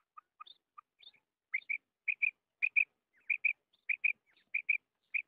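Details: Female common quail, locally called madi batair, giving its krik call: sharp chirpy notes, mostly in close pairs, repeated about twice a second after a few softer lower opening notes, against a silent background.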